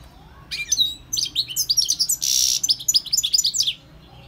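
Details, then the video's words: Wild European goldfinch song, a lively run of bright tinkling chirps and quick trills lasting about three seconds, broken midway by a short rushing burst of broadband noise. "GOLDFINCH SINGING 1H Chant Chardonneret اسمع واستمتع صوت الحسون البري Jilguero Campero"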